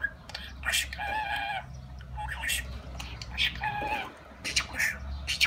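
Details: Talking budgerigar declaring love; drawn-out nasal, harmonic-rich utterances with a speech-like rhythm alternate with sharp clicks and chirps, over a steady low hum.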